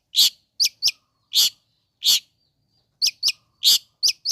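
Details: Long-tailed shrike calling to provoke rival shrikes: loud, harsh, rasping chak notes, some single and some in quick pairs, spaced irregularly across a few seconds.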